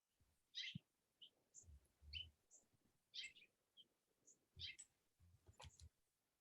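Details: House finches at a feeder give short, bright chirps in loose irregular bursts, roughly every few seconds, with low thumps and faint background noise between them.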